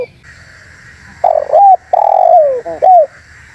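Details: Spotted dove calling vigorously as a lure to draw wild birds: after a quiet start, a clipped coo, a long mellow descending coo, then stuttered notes and a final curved coo over a steady background hiss.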